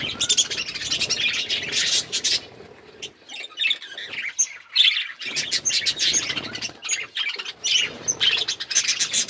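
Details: Several hand-tame budgerigars kept as pets chatter in rapid, scratchy, high chirps, with a brief lull in the middle before the busy warbling resumes.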